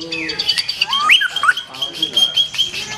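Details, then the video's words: Black-tailed white-rumped shama singing strong, showy phrases: clear whistled notes, sharp upward and downward slurs, and a long sustained high whistle running through the phrase over a soft crackling background. "SUARA BURUNG : Murai Batu Ekor Hitam, Tonjolan Mantap."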